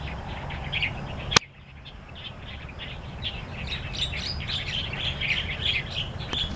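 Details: In the wild in Taiwan, starlings chatter steadily: many overlapping squeaky chirps and short whistles, broken by a single sharp click early on, over a soft low rumble.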